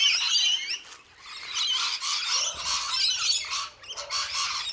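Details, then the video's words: Rainbow lorikeets feeding on a supplement during winter (July 2014), when wild flowering trees are scarce, chattering in a dense, shrill tangle of screeches and squawks, several birds calling over one another almost without pause. "Rainbow Lorikeet Parrots Feeding"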